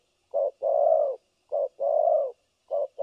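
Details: Decoy spotted dove used for trapping, 3 December 2022, giving the thổ cấn sấm nước coo delivered without pause: a brief low note, then a drawn-out hollow coo, in pairs about every 1.3 seconds.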